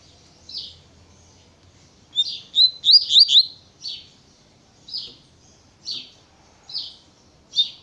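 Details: Double-collared seedeater singing in the natureza tui tui style: high, clear notes around the upper range, a quick burst of rising whistled slurs in the middle, then single buzzy notes repeated roughly every second.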